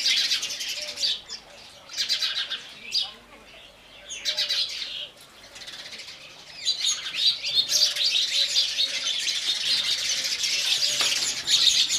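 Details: House sparrows gathered while drinking water, a dense flock chatter of overlapping sharp chirps and tweets that rise and fall in waves, with soft wing flutters and a faint outdoor background hum.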